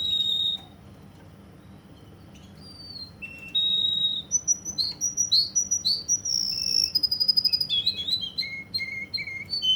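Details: A Russian canary from Kuwait holds a steady whistle, falls quiet, then launches into a lively series of rapid chirps, a fast rattling trill, and repeated descending notes.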